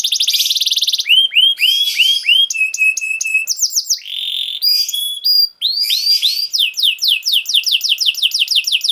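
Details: Canary song for training young canaries: dense buzzy trill, repeated downward whistles, a steady pure tone, quick high notes, then a long run of rapid descending sweeps.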